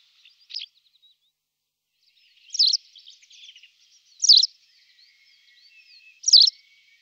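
White wagtail: sharp, high, slurred chirps roughly every two seconds, with soft, thin twittering between them.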